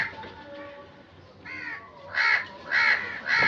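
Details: A crow gives a softer caw, then three loud, grating caws spaced about half a second apart, against a dull background hum.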